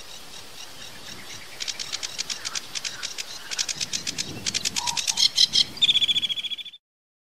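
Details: Sedge warbler song in a rapid varied style, fast dry rattling trills of repeated clicks building louder, a brief low whistle near the middle, ending in a bright sweeping whistled phrase before sudden silence.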